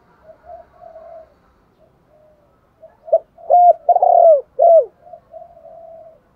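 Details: Spotted dove coos to lure: soft gurgling coos, then a loud phrase of about four ringing notes, the third drawn out, fading back to quiet murmuring.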